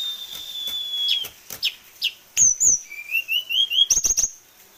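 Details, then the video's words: Tame sulingan gunung, a kept songbird with many song variations, holds a steady whistle, then drops into quick slurred notes, a wavering rising whistle series and high trilled chirps among clicks. "Sulingan Gunung / Tledekan jinak isian banyak"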